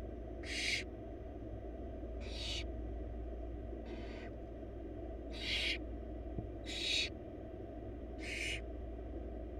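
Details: Nest-box barn owl chicks (four, wild) hissing to beg as their mother feeds them a large bunny; six coarse rasping bursts spaced one to two seconds apart, one fainter, over low steady hum.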